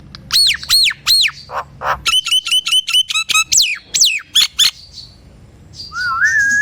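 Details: Nias hill myna song played to coax quiet, stalled mynas into singing: loud arched whistles, a rapid series of sharp metallic notes, descending whistles, then a rising wavering whistle at the end.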